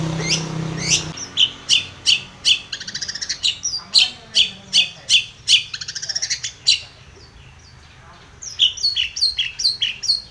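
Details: Long-tailed shrike calling out a rival: fast bursts of sharp, high chattering notes in quick runs, a short pause, then more hurried chips, with a low murmur at the very start.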